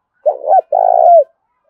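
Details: Spotted dove, newly wild-caught, with a thổ-đồng mixed voice, fighting call: a single loud phrase of a short wavering coo followed by a longer steady coo that falls away at the end.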